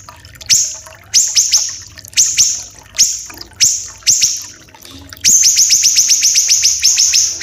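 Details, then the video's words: Tutor song of small siri-siri (common iora), described as dense, long and harsh, mixed with trickling water for training captive birds; high sharp down-swept notes in spaced pairs and triplets, then a fast unbroken run of rapid repeated notes. "MASTERAN SIRI-SIRI KECIL...!!! Dan Efek Suara Gemericik AIR"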